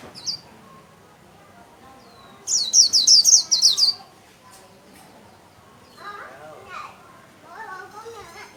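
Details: Cage-kept white-eye singing 'líu' and spreading its wings: one loud, rapid, evenly spaced series of sharp high chirps lasting about a second, a few faint notes, then human speech toward the end.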